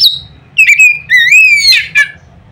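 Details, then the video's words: Oriental magpie-robin delivering loud notes to set other magpie-robins singing: a falling high whistle, short clipped notes, then a long rising slurred whistle ending in a harsh burst. "nada keras bikin burung Kacer lain ngeplong"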